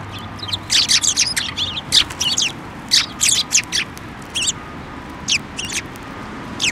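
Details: Sparrows flying onto a hand to be fed at a Tenmangu shrine on 15 December 2023, giving a flurry of sharp, high chirps in quick irregular bursts, some overlapping, over a faint low background hum.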